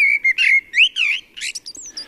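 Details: A Common Blackbird sings a short, mellow, warm, deep and well-articulated fluted phrase of whistles, then finishes with a brief, discreet thin squeaky twitter at the end.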